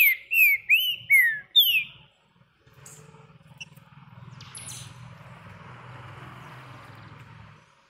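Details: Green-winged saltator held in the hand, giving four loud descending whistled notes in quick succession, followed by low rumbling background noise.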